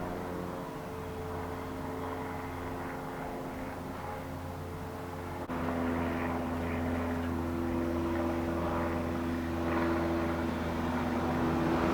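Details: A steady, droning propeller-aircraft engine hum that grows slightly louder partway through, with no animal calls audible.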